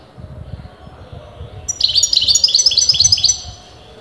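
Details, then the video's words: Continuous song of a European goldfinch whose sex breeders dispute: one phrase of about ten rapid, ringing, repeated twitters, following quiet, with low background rumble throughout. "غناء متواصل لمقنين"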